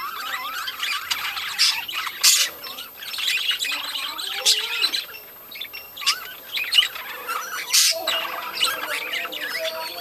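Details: Budgerigars in a breeding colony, many birds calling at once: dense overlapping warbled chatter, chirps and squawky notes running continuously for ten seconds, with several sharp bright clicks and bursts standing out above the steady flock noise.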